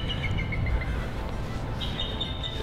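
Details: A Bald Eagle in rainy late fall at the Conowingo Dam, Maryland, where eagles perch in trees and snatch small fish from the river, gives a thin, high piping series of short whistled notes, stepping down, then another run, over rushing water.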